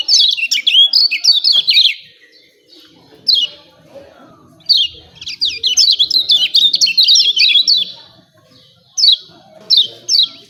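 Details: Sharp "ciak ciak" chirps of a lemon-bellied white-eye, used for training birds to sing. An early burst, one lone note, then a long lively run of high falling tweets, ending with three spaced chirps.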